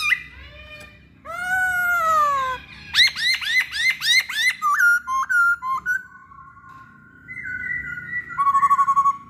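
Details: Masked laughingthrush song played to entice other birds to sing: a falling harmonic whistle, a rapid series of ringing hooked notes, short stepped whistles, then long wavering tones ending in a quick trill.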